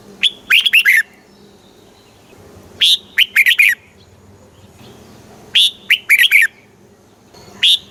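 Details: Song of a red-whiskered bulbul, played to rouse caged birds and teach young ones, in the southern master style; short punchy warbled phrases of four or five notes repeated about every two and a half seconds.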